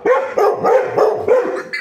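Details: Young buff-necked ibis on a Brazilian farm in Mato Grosso: a rapid run of five loud, raucous, nasal honks, roughly three per second, with a man speaking Portuguese before and after.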